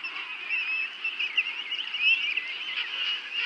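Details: Penguins at Fortuna Bay calling together as a dense colony, a continuous overlapping chorus of braying, wavering nasal calls with no pauses and a steady noisy background.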